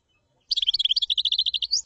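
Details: Common chaffinch singing a fast trill of repeated high chirping notes that runs steadily for over a second and rises at the very end, with no other sounds.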